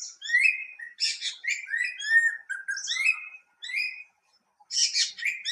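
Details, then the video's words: Greater racket-tailed drongo song, from an Asian bird known to mimic other species: rapid run of liquid whistles and chirps, rising slurred notes mixed with harsh buzzy bursts, brief pause near the end. "Song of Greater racket-tailed drongo(भीमराज/भृंगराज)"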